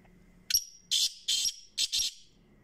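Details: Black francolin (kala teetar) calling: a thin high note, then a rhythmic series of four harsh, grating, buzzy bursts spaced about half a second apart, with a faint low hum underneath.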